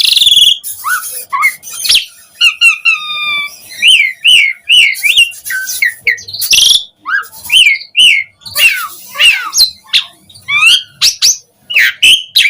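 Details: Varied Asian pied starling song intended to draw responses from other starlings: mixed whistles, short stacked buzzy notes, harsh rasps and rising chirps in a fast continuous sequence.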